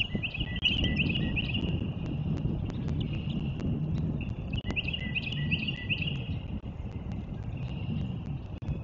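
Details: Eagles at Cardinal Land Conservancy, recorded 07.04.2024: repeated bursts of high, thin chirping notes, run together in quick series, two or three bouts over about nine seconds, over steady low rumbling wind and background noise.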